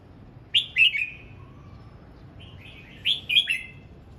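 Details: Morning song practice of a red-whiskered bulbul: a quick phrase of three bright, downward-slurred whistles, a faint low note, then a matching phrase of four chirpy notes after a brief pause.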